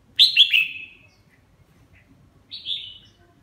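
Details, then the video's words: A red-whiskered bulbul bathing and singing gives three quick, bright, slurred chirps, then after a short pause one higher, drawn-out whistled note, over a faint low rumble. "Mào má lỡ mào lân vừa tắm vừa hót"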